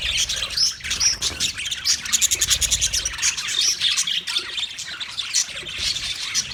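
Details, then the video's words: Budgies chirping on 29 February 2024: lively high twitter broken by a quick run of rapid clicking pulses around the middle, then more squeaky warbled notes. "Best Sounds Of Budgie Bird"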